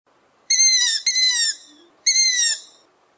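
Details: Young long-eared owl (Asio otus) begging call: three high, squeaky, slightly falling calls, each about half a second long, like a creaking gate.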